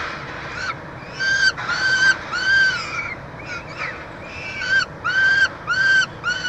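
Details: Peregrine falcons with chick at a University of Montreal nest box, Canada, 22 June 2023, during a feeding: loud whining calls in two bursts, separated by quieter, clipped, rising chip notes.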